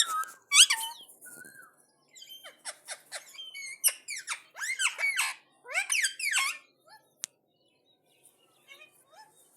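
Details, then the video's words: Indian ringneck parakeet talking in response to another parrot: sharp high squeaks, swooping whistled notes and rapid clicky bursts in uneven runs, loud at first, then a fast chattering series, ending in soft scattered chirps. "Ringneck Talking Parrot 🐦| Parrot Video| Parrot response to another Parrot| Parrot Talking"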